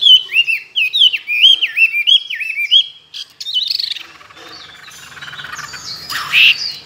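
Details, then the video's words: Caged Chinese hwamei, tame and two years kept, singing many forest voices: loud rolling slurred whistles for three seconds, then a burst of scratchy notes fading to quieter rustling and one last high whistle. "Họa mi thuần nhiều giọng rừng,chim đấu hót tốt"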